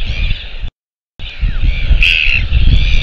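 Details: Royal albatross chick in New Zealand, recorded 21 January 2023: harsh, harmonic, drawn-out calls with a short break, over heavy low rumbling wind noise.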